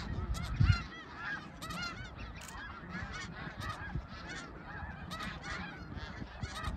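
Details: A snow goose flock at Middle Creek, 2022, honking nonstop in a thick tangle of nasal calls; a strong low blast early on, then steady overlapping yelps to the end.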